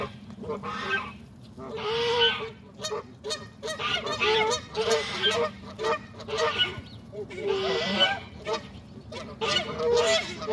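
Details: Noisy waterfowl at a Saturday morning pond feeding, giving repeated harsh honks and nasal calls in overlapping bursts, many birds together, with brief clicks and a constant low background hum.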